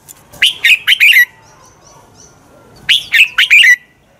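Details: Red-whiskered bulbul singing its fighting song for training: two loud phrases of four or five quick chirpy whistles with a falling final note, faint high chips between them.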